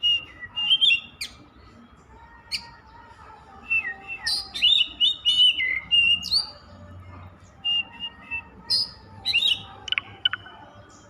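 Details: Oriental magpie-robin (kacer), a kept songbird, singing continuously: rapid series of varied whistled notes, sliding tones and sharp chirps in irregular bursts about every second, bright and high-pitched, with a faint low background hum.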